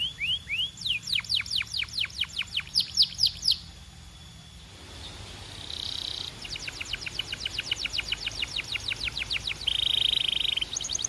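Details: Belgian canary song with long runs of fast descending whistled strokes, a pause with a soft buzzy roll, then another rapid even trill and a loud buzzing rattle.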